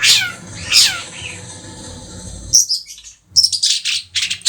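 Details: Pet long-tailed shrike of Madura type, three months old: a couple of descending whistled slurs and a thin drawn-out note, then a cluster of harsh scratchy bursts after a brief pause.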